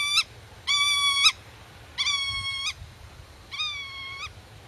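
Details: Black-tailed godwit guarding its nest and chicks hidden in grass, defending territory against intruders; four long, even, nasal calls, level and slightly falling, given roughly once a second.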